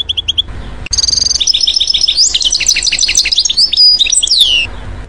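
Goldfinch song: a quick, bright, tinkling twitter of high liquid notes and short buzzy trills, running continuously after a few opening chirps, over a faint low hum.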